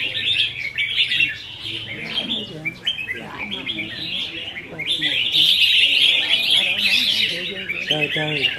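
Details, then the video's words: Caged red-whiskered bulbuls sparring in a practice song contest, 15 May 2021: rapid tumbling chirps and sweet warbled notes pile up, growing louder and more continuous in the second half, with human voices murmuring underneath. "Chào Mào Đấu Giàn | Dợt Chim Chào Mào Đấu Hót"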